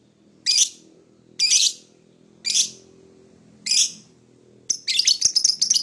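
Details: A lovebird calls in the morning with four evenly spaced, harsh high chirps about a second apart, then breaks into a quick stuttering chatter, over a soft low background hum.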